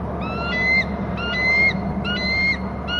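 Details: Eagle screeching from its nest on Hornby Island while feeding. Three bursts of ringing whistled notes, each a short stuttered series rising slightly at the end, about one second apart, with constant low hum behind.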